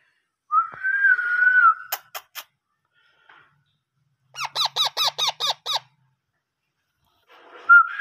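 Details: Hand-fed parrot chicks indoors: a wavering whistled note, then a few sharp clicks, a pause, and a rapid run of seven buzzy, arched begging calls, with another whistled note at the end.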